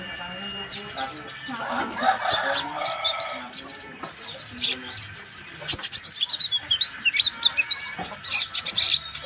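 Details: Van Hasselt's sunbird, locally called kolibri ninja, singing vigorously as a training model for other songbirds: rapid high, thin chirps and sharp twittering notes in dense bursts. Lower tonal sounds run underneath.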